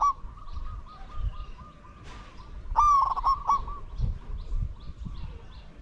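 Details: Spotted dove decoy luring wild doves: a soft, steady pulsing coo runs throughout, interrupted midway by a louder stuttering coo phrase, with a faint burst of noise just before.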